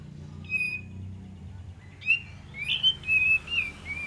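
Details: Olive-winged bulbul singing as a lure call: a brief whistled note, a pause, then a quick run of bright warbled, rising and falling whistles; faint low hum behind.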